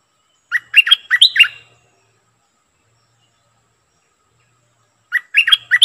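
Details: Decoy Streak-eared bulbul singing two lively, warbling phrases of several chirped notes each, separated by a few seconds of quiet.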